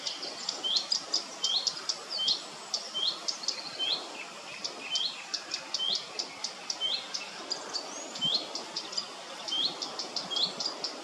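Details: Common redstart at RSPB Gwenffrwd-Dinas, short upslurred whistles given about every second, mixed with quick dry ticking notes between them, clear against a low steady background hiss.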